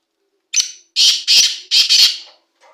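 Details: Young first-season male black francolin giving its loud call. A sharp opening note leads into four harsh, scratchy notes in two pairs within about two seconds. A faint later sound trails off at the end.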